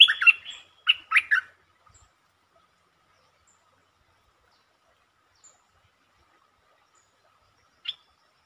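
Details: Streak-eared bulbul recorded 13 February 2023, singing several song styles including long and doubled songs: a burst of loud, rich warbled notes in quick clusters over the first second and a half, then silence and one later short note.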